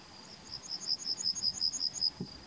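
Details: Yellowhammer in May 2020 giving a rhythmic run of about thirteen high, sharp, evenly spaced notes at a steady pace, with no clear long final note, and a brief low thump near the end.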